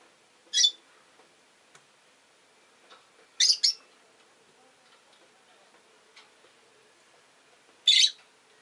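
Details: Rosy-faced lovebirds in a window-side cage, five orange-faced green birds, give loud harsh chirps spaced a few seconds apart, one a quick double, over faint ticking background sounds.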